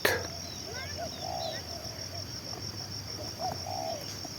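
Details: Spotted dove, a bird said to keep cooing for two hours and used as a decoy, giving two low burred coo phrases, each a short note then a longer rolling one, over a steady high insect whine and a sharp click at the start.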